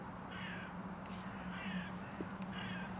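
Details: Hooded crow in Tivoli landscape park, Ljubljana, 31 January 2024, gives three harsh, hoarse caws about a second apart over a steady low background hum.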